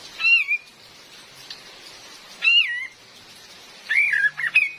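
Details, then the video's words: Lure recording of a female cream-vented bulbul: three loud whistled phrases, the first two single wavering slurs, the last a short burst of tumbling notes, with rain pattering throughout. "SUARA ASLI KAPAS TEMBAK BETINA || COCOK BUAT PIKAT DAN PANCINGAN"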